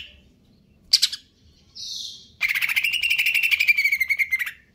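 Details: Greater green leafbird, locally cucak ijo, in stable condition, delivering konslet kejer nembak song: a sharp high note and a soft whistle, then a sustained fast pulsed buzzy trill that slowly drops in pitch.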